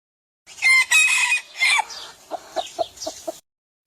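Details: Hen squawks loudly in harsh, high bursts for about a second and a half, then gives five short clucks spaced roughly a quarter second apart.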